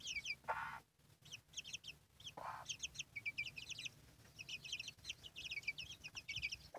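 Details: Hen with her brood of chicks: bright, downward-slurred chick peeps in fast runs, punctuated by two harsh, buzzy hen calls.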